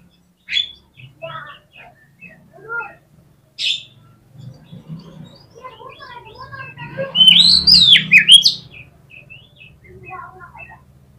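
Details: Oriental magpie-robin, an energetic fighter singer meant to provoke opposing birds. Scattered short chirps and twitters over a low background hum build to a loud, sweeping whistled phrase near the end, followed by softer notes.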